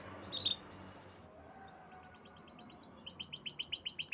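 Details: Canary singing: one sharp high chirp, then fast trills of repeated high, downward-sliding notes in two runs that grow louder toward the end, over soft background hum.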